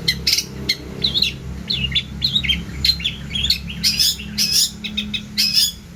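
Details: Long-tailed shrike in full chattering song with many borrowed phrases, used to teach other birds: quick rising and falling whistles, squeaky chirps and loud sharp bursts toward the end over a low hum.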